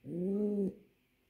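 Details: Single steady low coo from a male pouter pigeon calling its female to mate, a smooth held note lasting under a second before falling silent.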